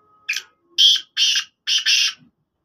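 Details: Desi black francolin (kala teetar) calling: a harsh, grating phrase of four to five buzzy, scratchy bursts, rising in loudness, with short gaps between them. The background is quiet.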